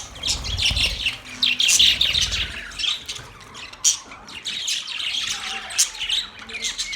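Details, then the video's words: Australian parrot, a pet Budgerigar, pouring out lively chatter: quick scratchy chirps, squeaky whistles and squawks in overlapping bursts, loudest early on, with some low thumping noise at the start. "Australian Parrot Bird Chirping sound"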